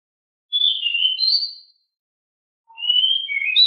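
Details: A very lively, noisy pied bushchat (Saxicola caprata) sings two brisk whistled phrases about a second long each, sliding up and down at high pitch, separated by a short pause.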